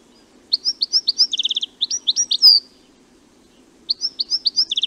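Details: European goldfinch singing: quick bursts of bright tinkling notes with rapid buzzy trills, a phrase of about two seconds, a pause, then the twittering resumes; faint low background rumble.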